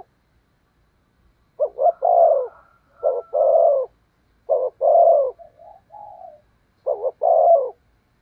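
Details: Spotted dove cooing as a lure for wild doves. After a brief silence, repeated phrases of paired short hoots and long mellow falling coos follow, with one softer drawn-out coo between them. The surroundings are quiet.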